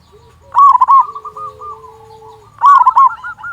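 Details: A local zebra dove with a big voice, used as a lure so other doves start singing, gives two loud bursts of quick, rippling coos. A softer, steady cooing trail connects them.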